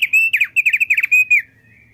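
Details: Male thick-billed white-eye, a frequent singer, delivering a quick run of loud, clipped whistled notes. Short slurred and downward-flicking syllables are packed closely together, then end abruptly, leaving a faint low hum.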